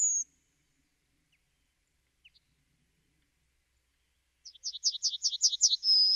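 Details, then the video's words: Yellowhammer: a brief high note, a few faint ticks in a long quiet gap, then a rapid series of repeated high chirps leading into a long thin whistled note. "The song of the Yellowhammer"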